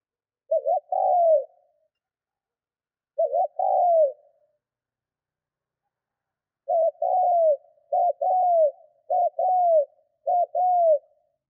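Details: Decoy spotted dove cooing to stir up wild doves: low mellow phrases of two short notes and a falling coo. Two spaced phrases, then four quicker ones in a rapid run. Quiet background.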